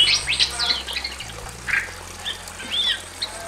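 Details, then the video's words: Bali myna pair, male and female, in a simple aviary cage, singing loudly: scattered high whistled and squawky notes with short rising sweeps, irregular and fast, over faint low hum. "NYARING‼️ SUARA BURUNG JALAK BALI JANTAN DAN BETINA GACOR DI KANDANG AVIARY SEDERHANA"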